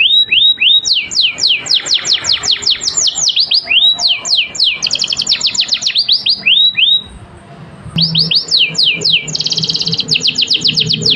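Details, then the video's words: Canary delivering a long master song intended to get other birds singing: rapid downward whistled notes in runs, buzzy high trills, a brief quiet gap, then renewed fast trilling. "Kenari full durasi Top Masteran, merangsang burung lain berkicau"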